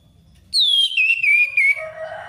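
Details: 'Ngeplong ngalas' song of an orange-headed thrush, a lure meant to get a stalled thrush singing: a loud whistle sliding down from high, followed by several shorter whistled notes stepping lower and fading, with a low hum underneath.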